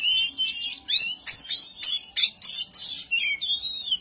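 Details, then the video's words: Oriental magpie-robin in agitated ngobra aimed at rivals. Clear whistled notes and upward sweeps alternate with short, harsh chip bursts, repeated in a choppy rhythm. "kacer anda ikut ngobra"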